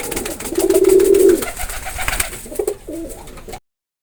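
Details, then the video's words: One sustained, low, vibrating pigeon coo lasting about a second, followed by a couple of shorter broken coo fragments over a background of rustling noise. "Pigeon Sound effect"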